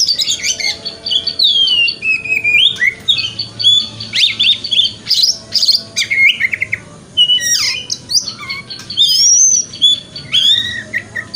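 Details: Oriental magpie-robin (kacer) lure song in the 'wikplong' style, used as morning therapy to make the bird open its tail: loud, varied whistled phrases, rising and falling sweeps and sharp chirps in dense bursts, with brief pauses between runs.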